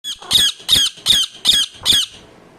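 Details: Indian ringneck parakeet, described as a talking parrot, giving five harsh, raspy squawks in a steady series about every 0.4 seconds, each loud and grating, then fading into quiet room noise.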